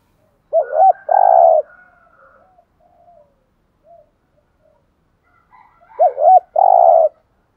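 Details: Spotted dove luring call in 'thúc gù' style: two cooing phrases about five seconds apart, each a quick double hoot then a long buzzy coo, with soft scattered coos between.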